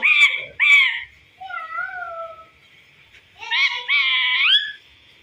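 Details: Chatty talking parrot copying a cat: two sharp squawks, then soft drawn-out mewing tones, and a long, rising, meow-like wail ending the clip.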